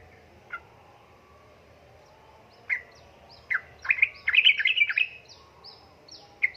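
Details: Female sooty-headed bulbul in heat calling to a male: scattered short chirps, then a rapid, bubbly chattering burst midway, followed by a few more isolated chirps over a low background hum.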